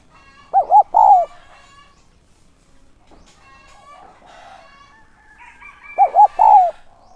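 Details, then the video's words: Spotted dove used as a decoy for wild doves, giving its urging call. Two three-note coo phrases, clipped hoots and a longer falling note, are about five seconds apart. Softer harmonic clucking sounds fill the gap between them. "Chim cu gáy mồi giọng SON chuẩn THÚC và GÁY GỌI kích bổi nhanh nổi hiệu quả"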